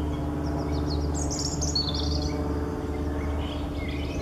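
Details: Short burst of European robin song: a high, rushing twitter and a few thin whistles, over a constant low hum.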